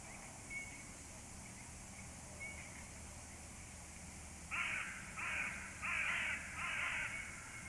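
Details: Crows calling near a nest: a series of four loud harsh caws spaced under a second apart, after quieter distant calls, over a low steady hum.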